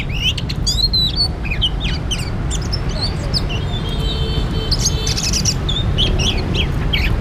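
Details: Oriental magpie-robin recorded during bird trapping, giving scattered short whistled and chirping notes high in pitch, sparse at first and clustering toward the end, over a steady low rumble of wind or handling noise.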